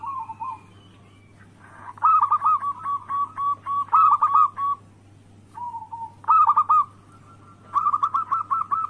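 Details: Zebra dove of local perkutut type, recorded as a lure to make rivals sing: soft low coos, then several loud bursts of rapid rhythmic coo notes with accented flourishes and brief pauses, over a constant low hum.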